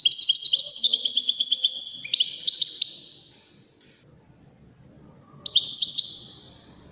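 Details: European goldfinch of the Waddani singing style, used for tutoring goldfinch chicks and hybrids: a fast liquid twittering run that slides lower in pitch, then a silent gap before another brisk twittering burst.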